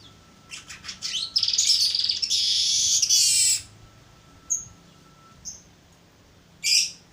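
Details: Young baya weaver practising its song, opening with quick dry ticks before a long, high, wheezy buzzing phrase of about two seconds, then a pause and several short isolated high whistles, over a faint constant hum.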